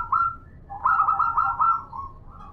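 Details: Local zebra dove, a female calling a male: a rapid rolling series of soft, trilled coos run together, then trailing off into a lower, fading coo.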